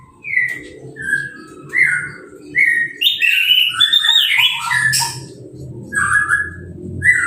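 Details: Orange-headed thrush that has just finished moulting, sprayed with a hose to bathe it and uncovered, singing straight away: a varied run of clear whistled and slurred phrases, some rising, some buzzy, over a low hum.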